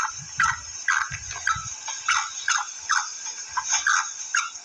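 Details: Calling female black francolin: a run of brief, clipped, scratchy notes, roughly two per second, with a constant high-pitched hiss and dull low thuds in the background.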